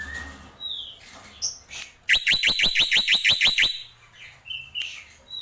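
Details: Black-winged myna delivering a tembakan burst: a few soft whistles, then about ten rapid, loud, evenly repeated sharp notes over a second and a half, followed by quieter whistles.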